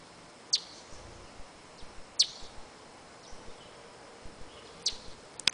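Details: A female Ruby-crowned Tanager (Tachyphonus coronatus) gives sharp, high, clipped chips, four in under six seconds at an uneven pace, over a soft hiss of background.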